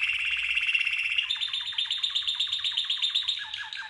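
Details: Red canary singing a training song meant for other birds to learn: a smooth, fast buzzy roll that breaks into rapid repeated falling notes, about four per second, clear and close.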